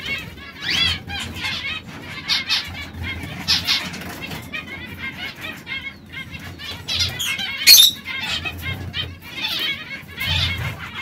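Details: Canaries singing: rapid bursts of high, trilled and chattering phrases, several at once, broken by short pauses, with a sharp click near the eighth second and a faint low hum underneath.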